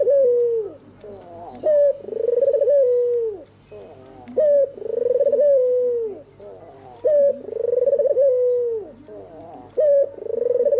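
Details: White albino Barbary dove cooing during the night, a steady series of about four phrases: a crisp short note, then a long rolling coo trailing downward, repeated roughly every two and a half seconds over a faint hiss.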